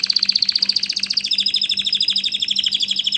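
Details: {'text': 'Canary delivering a rapid rolling trill of very high repeated notes, then switching to a slightly lower, faster tour, with a low steady hum underneath.'}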